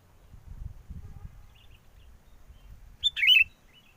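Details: Sooty-headed bulbul lure for bird trapping, strong wind: steady low wind rumble for most of the stretch, then a single short gurgling, fluty phrase near the end.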